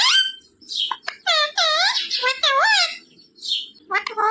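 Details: Pet parrot talking like a human indoors, mimicking Hindi phrases such as "Sita Ram" and "Radhe Radhe". It gives high-pitched, voice-like syllables with rising and falling inflection in several short bursts, and a person's voice prompts it nearby.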